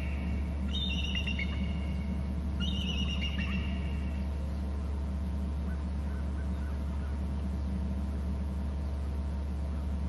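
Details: An eagle at its nest on Hornby Island, eating and screeching, gives two high, thin chittering screeches, each falling in pitch, in the first few seconds over a steady low electrical hum from the nest cam.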